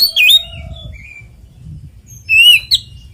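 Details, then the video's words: Oriental magpie-robin giving its 'ngeplong tarung' fighting song, used to lure other magpie-robins into singing: two short bursts of sharp, high whistled notes with quick up-and-down slurs, split by a quiet gap of about a second. "SUARA BURUNG kacer gacor NGEPLONG TARUNG konslet"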